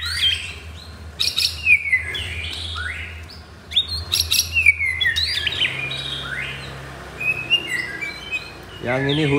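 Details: White-rumped shama, caged F4 blorok bird at a Kemayoran, Jakarta shop, gives sharp chirps and quick downslurred whistles in short bursts, separated by pauses, over a low hum, with a man talking at the end.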